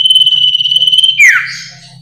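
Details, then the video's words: Lively varied singing of a common iora: a high, sustained whistle with a fast flutter, ending in an abrupt downward slur and a brief buzzy note, backed by a low continuous hum. "SUARA BURUNG SIRTU/CIPOH/CIPOW GACOR VARIASI"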